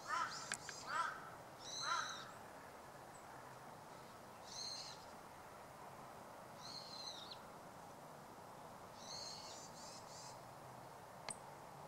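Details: Meadow bunting (Emberiza cioides) calling in winter on 25 December 2012 in suburban Hachioji. Short, high, buzzy call bursts come in small clusters about every two to three seconds. Brief lower clicking notes open the clip over a steady background hum.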